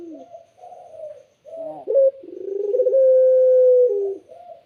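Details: Clear, melodious spotted dove song: soft wavering coos, a sharp emphatic note, a quickening pulsed roll, then a long level held coo that ends in a gentle falling note.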